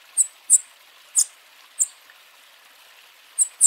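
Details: Bananaquit warming up its song and calls: sharp, very high thin ticks come singly or in quick pairs at uneven intervals over a quiet background. Six notes are heard.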